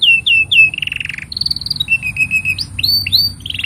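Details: Canary song meant as a master recording for young canaries: looping whistled notes, a dense rattling roll, level piping phrases and rising slurred whistles in quick succession.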